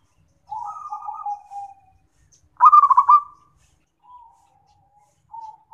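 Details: Local zebra dove (perkutut) cooing, recorded as a tutor and therapy sound: soft, mid-pitched coos, then a rapid stuttered burst of notes and a few fainter trailing coos, with no other sounds.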